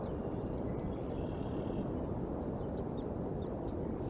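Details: Steady, dense engine or aircraft drone covers the whole recording, with no animal voice standing out.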